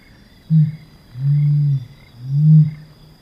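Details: Helmeted Curassow song, a species vocal during the breeding season: a deep, low-pitched series of booming hums, one short note followed by two longer, steady notes of about half a second each, with a faint high steady tone behind.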